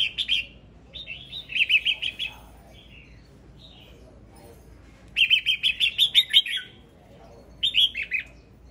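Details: Red-whiskered bulbul male sings several phrases: an initial chirp, a run of jaunty warbles, a long rapid series of about nine ringing notes, and a final short burst.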